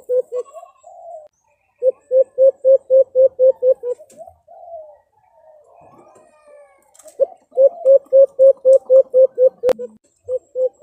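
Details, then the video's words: White-eared brown dove (alimukon) call, used for hunting: fast bursts of about eight low, hollow hoots, roughly four per second, with short pauses and faint softer murmurs between bursts; White-eared brown dove. "Huni ng Alimukon"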